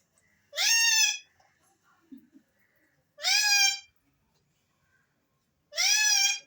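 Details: Alexandrine parakeets, a talking and whistling pair or group, give three loud, harmonic-rich calls that rise sharply then hold level, spaced about two and a half seconds apart, with a faint low murmur between them.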